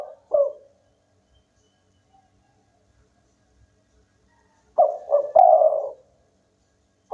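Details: Local spotted dove singing keenly: a lone short coo, a long silence, then one full phrase of two quick notes and a sustained husky coo, ending on the start of another note.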